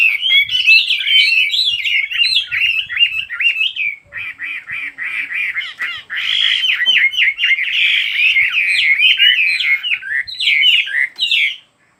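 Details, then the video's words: Bird singing a rapid, continuous warbling song of high twittering and chirping notes, tightly packed and varied, running almost without pause for about eleven seconds before stopping; faint clicks and soft background noise. "Chỉ có nghe chim hót là tâm hồn thanh thản nhất."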